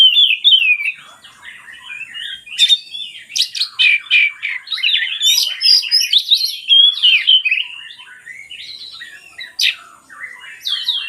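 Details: Oriental magpie-robin song used as a lure for silent birds: long rambling sequence of chattering, squeaky and whistled notes in rapid phrases, sharp clicks scattered throughout, ending with quieter, sparser calls.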